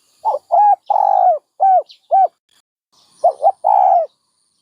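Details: Dove giving a run of low, mellow coos, several short notes and sustained ones, then a pause and a double note ending in a long drawn coo.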